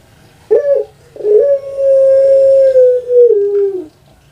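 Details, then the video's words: Pet puter pelung, the Javanese long-voiced dove of Indonesia, gives a brief opening note and then one long level coo of about two and a half seconds that sinks gently in pitch at its close. "PUTER PELUNG SUARA PANJANG"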